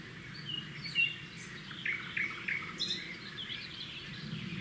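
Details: Red-backed shrikes at a roadside nest, where the male brings a grasshopper and the female feeds it to the chicks. Short, sharp chirps and a few thin downslurred notes are scattered through the clip over a steady low background hum.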